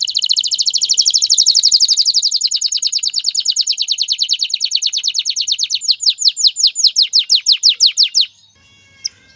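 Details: A male canary sings to encourage a female to mate and start a nest: a long fast trill over eight seconds that gradually slows into distinct downward-sweeping notes before stopping, followed by near silence.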